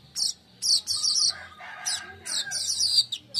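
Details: Weaver song recorded in the daytime for luring and tutoring birds: dense, high, scratchy chattering phrases with quick downward chips, nearly continuous across the whole clip.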